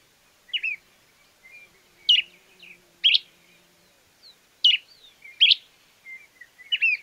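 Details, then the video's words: Stripe-necked Tody-Tyrant in Argentina: short, sharp, chirping notes, each dropping quickly in pitch. They come in uneven pairs and singles, about every second, with faint softer notes between them against a quiet background. "Mosqueta estriada"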